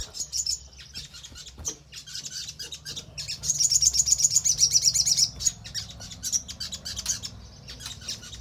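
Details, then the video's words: Crimson sunbird song used as a lure to prompt other birds to respond and sing: very high, thin, rapid twittering trills in bursts, with a brighter, denser run in the middle, over a faint low hum. "Pancingan Sogon Agar Cepat Respon dan Rajin Bunyi Gacor Buka Paruh"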